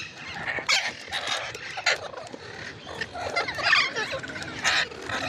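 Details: Ringneck parrot giving harsh, raspy squawks in short bursts, several loud broadband screeches spaced roughly a second apart, with a noisy background.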